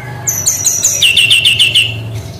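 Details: Brown-chested jungle flycatcher, 'tembakan' song style: a run of high piping notes leads into about six evenly spaced, sharply falling whistles, ending abruptly.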